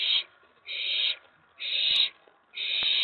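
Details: Owlet at night on May 19, 2017, excited as a mouse is delivered to its box: harsh, hissing screeches about half a second long, repeated roughly once a second in a steady run, with faint rustling between them.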